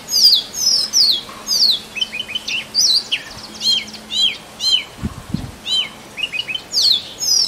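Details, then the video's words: A male Oriental magpie-robin sings to attract a mate: a varied run of sweet, high whistles and quick slurred notes, phrases following almost without pause, faint low thuds and soft hum beneath. "Male Oriental Magpie Robin Singing"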